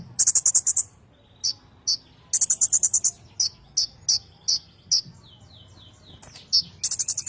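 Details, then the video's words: Kolibri ninja rolling ngerol song used to train magpie-robins: opening and closing fast high trills with slower sharp chips in between, plus a series of thin sliding notes near the end. "kolibri ninja ngerol cocok buat masteran burung murai batu"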